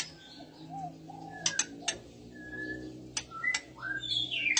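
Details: Oriental magpie-robin female in breeding condition, males responding: sparse clear whistled notes, a few flat and a few upslurred, broken by loud single clicks at uneven intervals over a quiet background.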